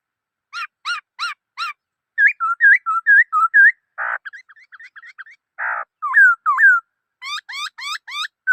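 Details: Black-throated laughingthrush singing a varied run of loud whistled phrases: quick repeated upswept notes, then rising-falling slurs near mid pitch, two harsh bursts and rapid looping whistles at the end.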